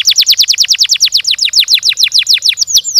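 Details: Canary in rapid, tightly spaced gacor song: a steady train of high downslurred whistled notes about six per second, finishing with a longer swooping whistle.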